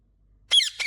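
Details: A talking pet green rose-ringed (ringneck) parakeet gives a quick, raspy, high-pitched squeak and then a shorter second note, both under half a second, in an otherwise quiet room.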